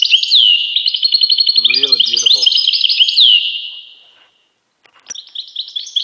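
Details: European goldfinch song, a rapid run of bright twittering and sweeping notes that fades out, then resumes after a brief gap with more liquid chirps. Faint lower buzzy sounds appear midway.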